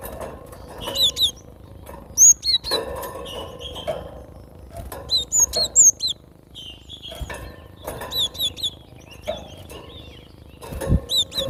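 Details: Gelatik batu, the cinereous tit, in its natural voice: bursts of high, sharp, down-slurred whistles repeated in short phrases across the recording, separated by pauses, with light clattering and low hum in the background.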